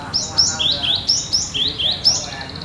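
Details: Cinereous tit singing in the lively, steady style called gacor nagen, sounding as in the wild: a bright high two-note phrase, a sharp upslurred whistle then a lower note, repeated about every half second with faint background hiss.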